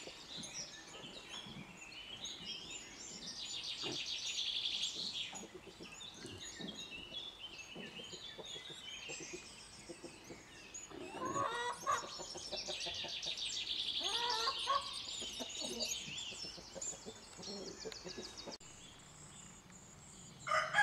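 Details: A pair of nuthatch parents give rapid, harsh, repeated distress notes, several a second, rising and falling in bursts, as a cat threatens their mud-plastered nest.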